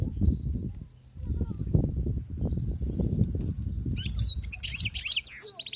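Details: European goldfinch, wild-caught, bursting into a short, high twittering phrase with a clear sweeping note near the end, after several seconds of low rumbling noise.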